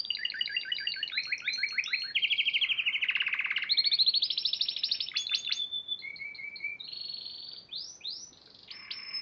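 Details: Spanish Timbrado canary, a competition champion from March 2014, singing a varied song: rapid repeated notes and trills shifting pitch, a long metallic rolling phrase near the middle, then clear rising whistles and looping slurs.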